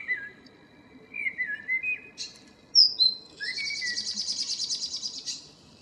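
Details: Common blackbird (Turdus merula) singing in the morning on 2 April 2013: low fluted whistled phrases, then a high squeaky twittering flourish ending in a rapid buzzy trill.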